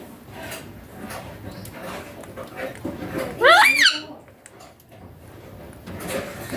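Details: Young green Indian ringneck parakeet kept as a pet, described as talking: a single loud, short rising squawk-like utterance with strong harmonics midway, surrounded by soft indoor room noise and faint murmurs.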